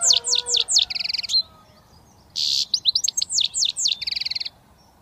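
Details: Young British goldfinch just starting to whistle: quick bursts of high, sweeping twittered notes and a rapid buzzy trill, a pause, then a harsh burst and more twittering with repeated trills.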